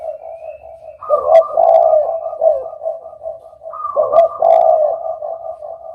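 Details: Deep repeated cooing of a spotted dove, with two strong phrases about three seconds apart, each trailing off into softer wavering coos.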